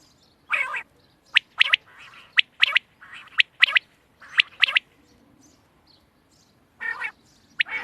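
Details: Quail calls from 31 March 2024: loud clipped notes in pairs and triplets, several quick groups in a row, then a pause of about two seconds before more notes resume.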